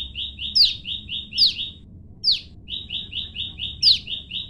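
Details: Male and female olive-backed tailorbird calling each other across a separation: a steady stream of quick, clipped, same-pitched notes punctuated by four loud, sharp, downslurred calls.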